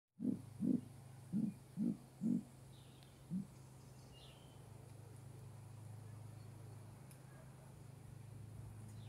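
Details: Great grey owl (Strix nebulosa) giving a short series of six very deep, soft, low hoots about half a second apart, the last one fainter, over a steady low hum.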